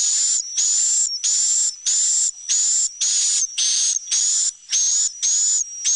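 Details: Swiftlet roosting sound played in a bird house's nesting room to reassure the birds with the impression of many companions. Regular harsh buzzy chirps, each with a faint high whistle, about eleven in six seconds.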